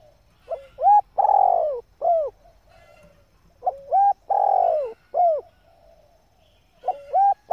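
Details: Female spotted dove calling to excite males: two full cooing phrases about four seconds apart and the start of a third. Each is a short note, a level hooting coo, a long buzzy descending coo, then a short arched coo.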